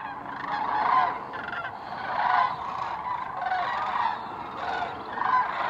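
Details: Sandhill cranes in flight just after sunrise at Hiwassee Wildlife Refuge, adults with a juvenile; rolling, trumpeting calls repeated about every one to two seconds, overlapping from several birds, with steady background hiss.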